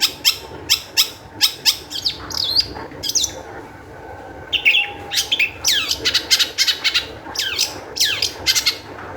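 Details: Long-tailed shrike in energetic full song, used as a lure to get other shrikes singing: rapid bursts of sharp, high chattering notes and descending harsh slurs, with brief pauses between phrases.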